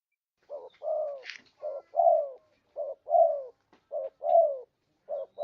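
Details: Spotted dove lure call used for trapping: paired coos, a short low note followed by a longer descending crooning note, repeated about once a second. A brief buzzy higher sound occurs near the start.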